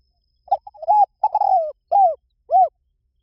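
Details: Spotted dove calling in a gentle series: quick stuttered opening notes, a long burry coo sliding downward, then two smooth arched coos, heard clearly and alone.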